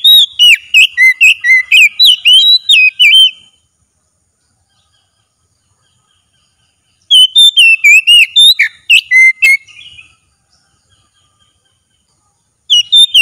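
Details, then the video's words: During a daily training session an Oriental magpie-robin sings vigorously: dense bursts of rapid, varied whistled notes lasting about three seconds, separated by long silent gaps, with a third phrase just starting at the end. "30 MENIT TERAPI HARIAN KACER LANGSUNG GACOR"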